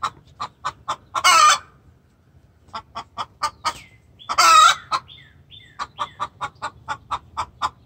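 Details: Very vocal hen giving distress calls to the rooster: fast bursts of short clucks broken by two loud, harsh squawks, with faint descending chirps and steady clucking continuing to the end.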